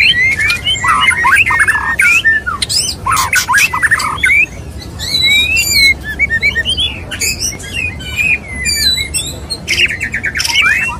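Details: Murai batu, a male white-rumped shama, singing to a female: bursts of rasping noise alternate with fluid whistled slurs and short twittering runs across the phrase.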